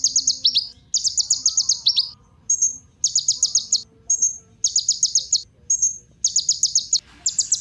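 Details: Ninja sunbird song used as a lure to stir other birds into singing and as tutoring material: very high, buzzy trilled bursts about a second long, separated by short pauses and thin upslurred whistles, repeated steadily.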